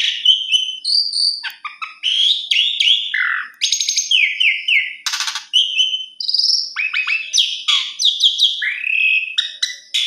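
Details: Continuous Asian pied starling song: varied whistles, falling slurs, harsh buzzy bursts and clicks packed closely for ten seconds without a pause.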